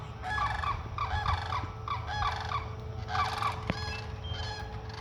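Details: Several rolling, trilled trumpet notes from sandhill cranes near where food is put out, in groups across five seconds, with a steady low hum and a sharp click partway through.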